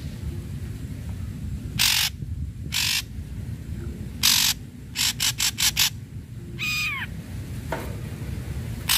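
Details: Ashy Drongo song played to stimulate other drongos: spaced harsh, hissing bursts, a quick cluster of short rasps, and one rising whistled sweep over a noisy, rumbling background.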